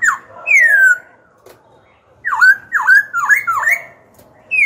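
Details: Black-throated laughingthrush (khướu bạc má), caged song bird, gives loud, rich slurred whistles, a drawn-out falling note then a quick run of swooping phrases, strong and clear in a quiet room; song used to stimulate and train other birds.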